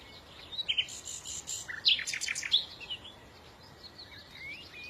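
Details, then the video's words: Bright bird chirping: clusters of quick high squeaky notes and short sliding whistles, some upward-swept, tumbling together for a few seconds before fading to quieter calls. "إذا كنت تعشق سماع تغريد العصافير فلا تشتري قفزا فديو لعشاق تغريد العصافير"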